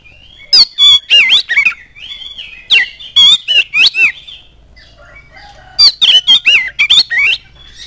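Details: Oriental magpie-robin (kacer) in loud provocative song meant to prompt other magpie-robins to answer: rapid bursts of harsh, buzzy notes mixed with whistled slurs, in phrases of about a second and a half.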